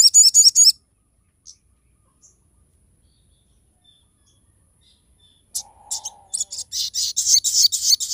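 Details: Crested jay in full, lively song with sharp 'shots', used to tutor other songbirds and lure other crested jays into singing: quick high chirping trill, near silence, then a dense run of loud, buzzy, high notes with a brief lower hum.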